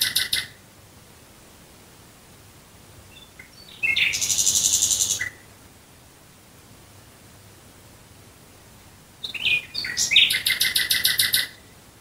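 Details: Nightingale singing at night near Dresden, Germany, in phrases separated by silences of several seconds. A short burst opens the recording, then a dense high rattling trill follows. Later a phrase starts with soft rising whistles and ends in rapid repeated notes.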